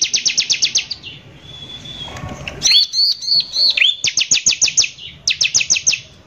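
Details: Bar-winged prinia singing steadily, a rough 'nembak kasar' style lure song meant to provoke other prinias: rapid trains of high sharp notes, about eight per second, broken by a thin whistle and twisting chirps, then more fast bursts.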